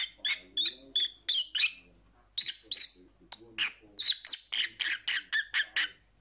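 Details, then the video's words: Lovebird calls for lonely pet parrots: rhythmic series of shrill, piercing chirps, about two per second, in three runs separated by short gaps, the last run fast and steady. "Lovebird Sounds"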